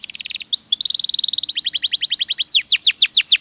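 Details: Canary (kenari) training song: a fast buzzy trill, a rising whistle, a flat high rattle, then a run of evenly spaced chirps and loud downslurred sweeping notes.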